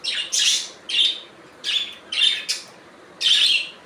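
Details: Budgies giving a series of six harsh, squawky chirps, some buzzy and broad, others tighter and more whistled, repeated roughly every half second with short pauses between.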